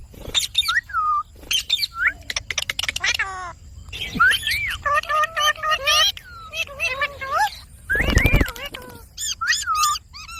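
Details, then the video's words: Indian ringneck parakeet kept as a pet chatters in speech-like phrases, mixing gliding whistled syllables, rapid clicks and a harsh broadband burst. "Talking parrot video|Ringneck parrot video|Parrot sound video|Parrot voice video"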